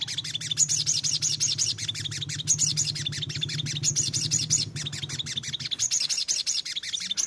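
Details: ['Untamed sogon bird with a lure meant to encourage frequent singing: continuous bright high chirps repeated quickly throughout, over a droning low mechanical hum that fades near the end.']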